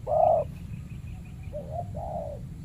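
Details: Spotted dove challenged by a decoy bird while guarding its banana plantation territory; one loud, rich coo, a pause with faint high chirps of another bird, then a softer two-part coo phrase over low background rumble.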